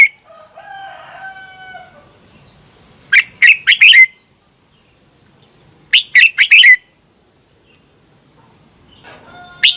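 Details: Thai Red-whiskered bulbul singing for training or exciting caged birds: a soft tonal hum, then two lively phrases of quick warbled chirps with falling slurs about three seconds apart, and another phrase beginning at the end.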